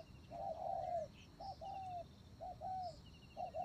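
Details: Decoy spotted dove cooing: soft hollow notes, a quick double note leading into a longer slurred coo, three phrases in under four seconds over a quiet hiss with faint distant twittering.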